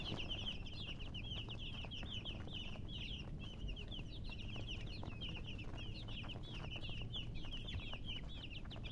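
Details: Chicks chirping continuously, many high, quick peeps overlapping in a dense chorus, with steady low background rumble.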